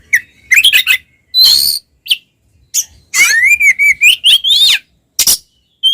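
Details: Oriental magpie-robin fighting song used to make other males aggressive: sharp whistled notes and harsh bursts, then a long wavering whistled phrase rising and falling, ending with short clipped notes.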